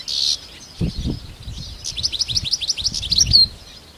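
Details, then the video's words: European goldfinches in the wild: a short high buzzy note, then a fast run of sweet twittering chirps rising and falling, over soft low thumps and rustling. "طيور الحسون في الطبيعة"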